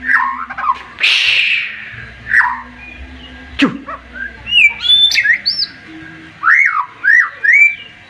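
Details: White-rumped shama singing excitedly: harsh broadband rasps and a steep falling sweep, then bright rising whistles and repeated arched notes, over a faint low hum.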